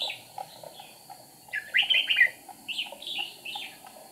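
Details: Decoy red-whiskered bulbul used in a trap on 8 April 2019, wing-flicking and tail-wagging: a loud rapid cluster of warbling notes mid-clip, then several shorter sliding phrases, against a constant high drone.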